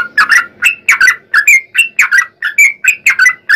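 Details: Sooty-headed bulbul singing to lure other bulbuls into song: cheerful liquid phrases of two or three slurred whistles, repeated about once a second with brief gaps.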